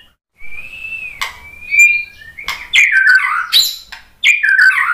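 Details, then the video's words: Kept white-rumped shama singing as a lure: long level whistles first, then a loud burst of varied warbled and rising notes with sharp clicks. "suara KICAUAN MURAI BATU bikin NYAUT ikut BUNYI jadi GACOR NGEPLONG ¦ PANCINGAN MURAI"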